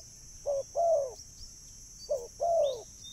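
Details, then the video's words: Lure call of a spotted dove: two clear paired coos, each a clipped low note followed by a longer rounded note sliding down. Pairs are about one and a half seconds apart, with a thin high whine in the background. "burung tekukur suara mp3 💯 ampuh dan jernih untuk memanggil burung"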